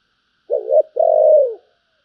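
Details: Spotted dove, giọng thổ bầu song style, gives one deep, mellow phrase: a low double-beat opening coo followed by a sustained, gently descending coo, with no other sounds.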